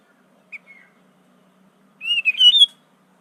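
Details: Sooty-headed bulbul singing a song filled with imitations of prenjak, cucak ijo, cucak rowo and murai: two short thin notes, a pause, then a quick bright whistled phrase that rises and falls, over a quiet background.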